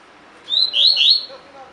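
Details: Tui tui fibra phrase from a caged double-collared seedeater, used as training audio for captive birds. A thin rising whistle runs into two louder downward-sweeping notes, all within under a second, in a quiet background.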